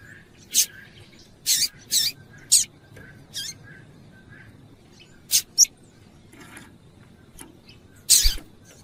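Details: Female Double-collared Seedeater calls, used to excite a male so he keeps singing: brisk, high, piercing chips, partly paired, spaced unevenly across the stretch, with a faint background tone and a soft thump near the end.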